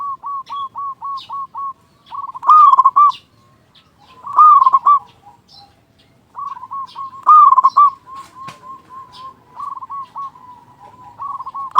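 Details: Zebra dove, a local bird with a strong voice, sung as a lure for other doves. A string of short even coos leads into three loud stuttered phrases, with further dove cooing throughout.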